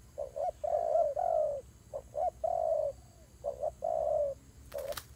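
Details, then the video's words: Fighting doves give paired short coos followed by longer drawn-out burry notes, repeated three times, ending with a brief clatter of noise. "God dove Fighting"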